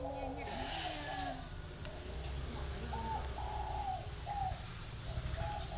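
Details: Dây vàng coo of a spotted dove from Ba Vì, northern Vietnam: a run of soft, low, hollow notes with slight upward inflections, heard against a heavy low rumble and some high hiss.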